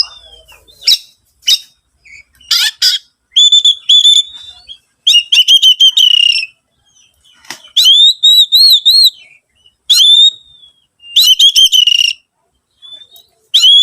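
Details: Lure song of an Oriental magpie-robin meant to set other birds singing: bursts of harsh notes, then clear sustained whistles and wavering trilled phrases separated by short pauses, no other sounds.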